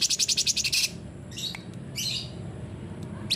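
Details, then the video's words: Sooty-headed bulbul singing a 'full tembakan' style used to get silent bulbuls singing: an opening rapid rattle of about ten pulsed notes, followed by softer scratchy fragments. "CUNGKOK GACOR FULL TEMBAKAN"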